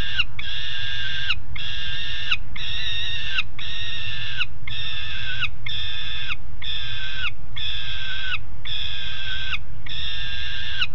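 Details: Two juvenile peregrine falcons on a grating give harsh, nasal calls about once a second in a steady series over low wind or traffic rumble; Alphen aan de Rijn, Netherlands, 17 June 2016, 13:30.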